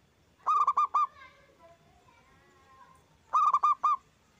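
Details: Zebra dove (perkutut lokal) in strong, full-voiced song, used as a lure recording to make other doves answer. Two loud rolling phrases of about five rapid coos each, roughly three seconds apart, with faint murmuring between them.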